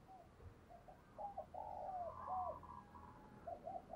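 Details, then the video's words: A decoy spotted dove calls wild doves with a run of hollow, dipping coos over steady background hiss, joined by a fainter higher bird note. "Tiếng Chim Cu Mồi gáy Gọi Bổi Siêu Nhậy"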